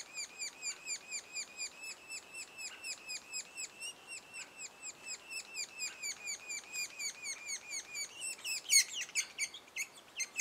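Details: Sapsucker chicks at the nest two days before first fledging give repeated high slurred calls about twice a second, ending in a louder burst of harsh high-pitched notes.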